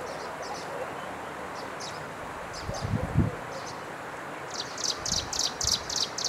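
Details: Striped prinia, formerly lumped with Himalayan prinia, recorded 11 April 2023 in Jianshi Township, Hsinchu, Taiwan, giving sharp, high calls, faint and spaced at first, then a quick run of about eight loud ones over low thumps and rustling.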